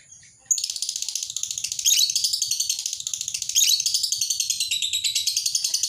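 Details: Lovebird ngekek, a long chattering call used to train and lure other lovebirds: a sudden, unbroken, very high, rapid rattling chatter that pulses several times a second and keeps going to the end.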